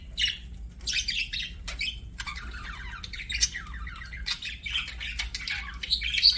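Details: Pet budgie chirping in a rapid stream of scratchy, buzzy warbles and high squeaks, with faint room hum.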